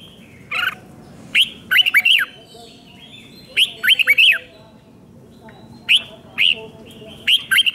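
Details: Thai red-whiskered bulbul singing the five-syllable 'double 2, double 3' song played to teach young birds: short, bright phrases of three or four swooping whistles repeated about every two seconds, each led by a single note.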